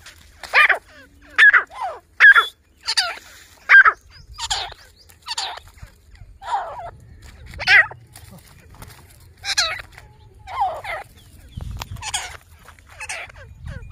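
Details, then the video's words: Two grey francolins, a family in jungle, call: harsh, buzzy notes repeated roughly once a second in a loose, uneven series, some rising into strained squeals. Faint low rumble beneath. "grey francolin partridge family video jungle mein teetar ki boli"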